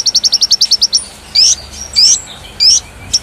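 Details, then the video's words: Konin singing energetically, a tutor song for magpie robins and fighting doves; a rapid string of ten short high chips, then three loud buzzy rising slurs spaced about half a second apart. "Masteran Konin Gqcor Nembak Full isian Buat Isian Buring kicau"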